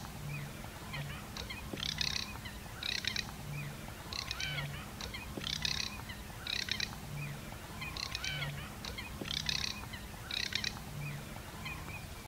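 Garganey giving dry, crackling rattles in short bursts, about one a second, with faint twittering from other birds and a low steady hum beneath.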